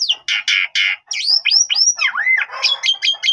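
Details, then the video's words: Asian pied starling lure song meant to get other starlings replying: three raspy buzzy blasts, then a run of looping whistled slurs and rising-falling notes, finishing with rapid repeated high chips. "Jalak Suren Bahan Langsung Respon Nyaut Gacor"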